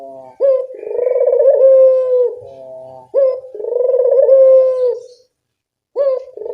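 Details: Barbary dove, a keen caller whose recording is meant to get silent doves singing: two rolling throbbing coos with clipped openings, a brief silence, then the start of a third.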